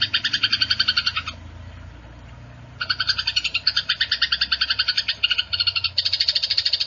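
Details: Fighting Eurasian tree sparrows give fast, harsh chirps, about seven a second, in chattering bursts broken by a brief pause; used as a training recording for songbirds.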